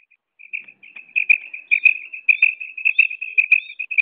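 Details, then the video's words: Female common quail (batair) calling: thin, high, clipped notes in a quick stuttering series, starting faint and growing louder, with pairs of brighter notes roughly twice a second. "new mada batair ki awaz female batair sound"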